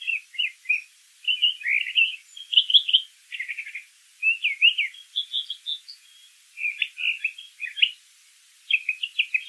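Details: Singing brown thrasher delivering a steady series of distinct phrases, chirpy and scratchy notes often doubled, separated by brief gaps, with soft background noise throughout.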